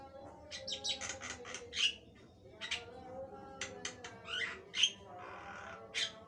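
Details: Javan myna in full, lively song, a long-running performance: harsh, scratchy bursts and squawky notes delivered in quick clusters, some with brief whistled tones, separated by short pauses, over a faint low steady hum.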